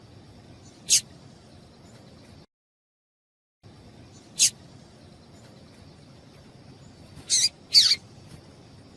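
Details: Female double-collared seedeater giving calls that prompt the male to sing: single thin high chips, then a quick pair near the end. A brief silent gap interrupts, and a faint steady high hum lies underneath.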